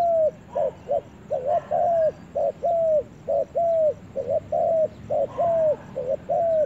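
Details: Spotted dove heard on its first trip to the forest, giving a steady run of short, slightly falling cooing notes at mid pitch, about two every second in loose rhythmic groups, over a faint background hiss.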